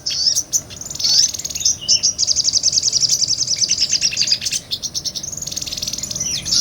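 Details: Real recording of a sunbird singing, used to tutor other songbirds: long, continuous high trills of rapid repeated notes, rising and falling in loudness, with sharp clicks mixed in.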